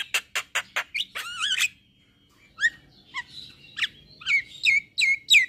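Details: Song of a male white-eyed Javan myna, used to set other mynas singing: rapid harsh clicks, a wavering whistled phrase, then spaced sharp rising and falling whistles.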